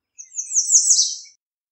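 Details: American redstart song: a single high, thin phrase of quick descending slurred notes, about one second long, building in loudness toward a buzzy downward end; clean, quiet background.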